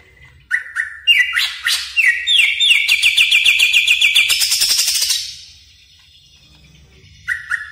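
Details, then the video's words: Greater green leafbird lure sound for tutoring caged birds: separate whistled notes stepping upward, running into a rapid, rising pulsed trill, with a short whistle returning at the end. "suara pikat burung cucak ijo"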